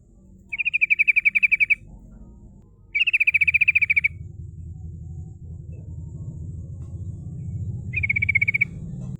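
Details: A female sooty-headed bulbul gives a rolling 'ngerol' song meant to draw rivals: long, rapid trills of a dozen or more clipped notes, with low rumbling background noise growing in the second half.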